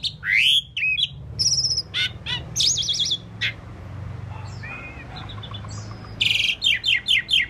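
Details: Varied singing from an Asian pied starling: rising whistles, wavering warbled notes, clicks and buzzes, finishing with a rhythmic string of sharp repeated chirps over a low background hum.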